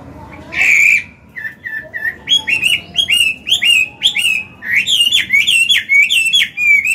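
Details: Old Chinese hwamei delivering forest-style song, intended to stimulate caged males to sing. After one loud harsh note comes a steady stream of bright whistled phrases, many sliding downward, repeated rapidly with little pause.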